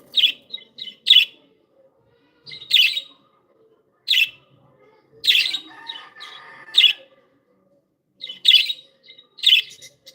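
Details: Happy pet budgies chirping: short bright chirps and squeaky notes in loose bursts of one to three, separated by brief pauses, with a soft chattering warble in between; indoor setting, no other sounds.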